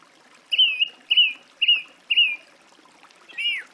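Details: Song thrush song: one clear whistled phrase repeated four times at an even pace, each a slurred note with a quick upward flick, then a different downward-sweeping note.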